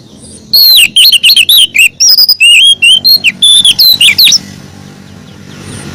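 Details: Female oriental magpie-robin calling for the male: a dense burst of loud, varied whistles and chirps, rising and falling, about four seconds of rapid notes before dropping to background hum.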